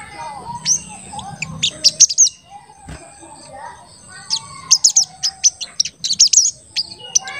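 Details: Crested jay in full voice, giving its 'cuit cuit' calls, used as a lure to make other birds call. High, thin chirps come in two dense bursts with a quiet gap between them, and a steady high electronic whine runs throughout.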